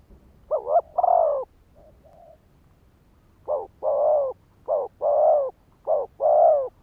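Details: Decoy spotted dove calling to trigger and lure wild males. Low, mellow coos in two-part phrases, a short quick note and then a longer drawn-out one. A soft faint coo sits between them, and several phrases repeat in steady succession.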